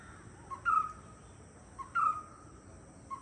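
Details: Two loud, short notes from a white-cheeked barbet, known locally as Chinna Kutturuvan, each a punchy mid-pitched burst with a brief trailing tone, spaced just over a second apart.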